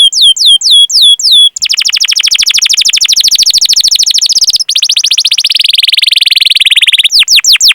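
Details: Canary training master song meant to prompt young or silent canaries: a few swooping whistles give way to a long, very rapid rolling trill that shifts pitch downward, then ends with sharp falling notes.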